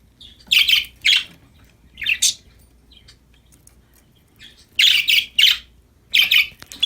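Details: Happy, playing budgerigars make loud raspy chirps in short bunches, first a trio of notes, then a quiet gap of about two seconds, then more rapid scratchy calls.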